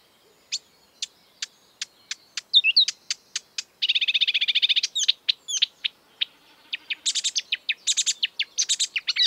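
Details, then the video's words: Marsh warbler, a bird that imitates European and African species, opens with evenly spaced sharp ticks, breaks into a buzzy trill, then bursts into dense, very high chattering phrases. "An exuberant marsh warbler (Acrocephalus palustris)"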